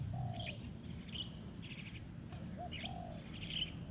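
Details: Decoy spotted dove on open dirt ground during a lure for rivals: a few mellow, drawn-out low coos spaced apart, mixed with scattered higher twittering birds.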